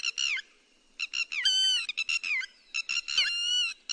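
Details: Lapwing netting-lure calls: clipped, shrill notes in small clusters, broken by a couple of longer sliding cries and short pauses.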